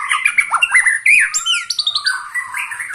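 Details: White-rumped shama, a 21-year-old bird still singing vigorously: loud varied phrases of slurred whistles and rising sweeps mixed with high thin notes, delivered rapidly and continuously.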